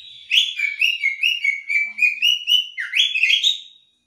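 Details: Female Oriental magpie-robin giving a ngobra call, used as a lure to set off a male's calling: a rapid run of about a dozen short, even, whistled-buzzy notes, slightly rising then ending in a higher sweeping phrase; clean background.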